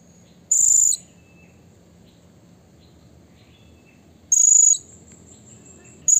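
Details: Blue-crowned hanging parrot calling to provoke rivals, used as a lure: a shrill, very high, steady whistled note lasting about half a second, repeated after nearly four seconds, with a third note starting at the end over a faint low hum.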